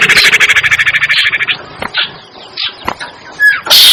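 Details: Common iora lure call for drawing birds down: a fast buzzy pulsed trill of about a dozen notes over the first second and a half, then scattered short chips and a brief rising whistle, ending in a loud harsh burst.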